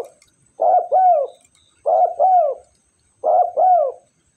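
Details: A tame spotted dove (Spilopelia chinensis) calling vigorously coos three times, each a soft two-part phrase with a husky rising note, repeated about every one and a half seconds.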